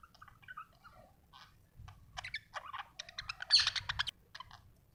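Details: Happy pet budgerigar from Australia chattering softly: faint warbled notes at first, then a quickening run of short sharp chirps and clicks building to a brief louder peak before fading.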